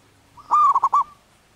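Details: Wild local zebra dove in breeding condition giving its manggung cooing song: one phrase opening with a held, even note, then breaking into three quick rolling pulses before a soft trailing tail, in a quiet background.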